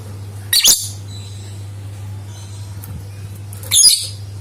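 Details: Lovebird song for drawing other lovebirds into song: two brief, piercing, squeaky chatter bursts about three seconds apart, with faint softer chirps between them and a steady hum.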